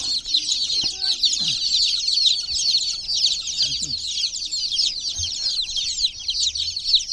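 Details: A crowd of chicken chicks in a water pool giving rapid, high-pitched overlapping cheeps without pause, with faint low knocks and splashes underneath.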